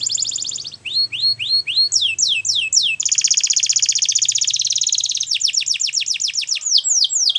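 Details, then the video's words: Belgian canary in full song, switching between runs of rising whistled notes, a long, intense rattling trill lasting about two seconds, and rapid series of falling sweeps; a soft low hum sits underneath. "Belgian Canary Singing !! Canary Birds Sounds"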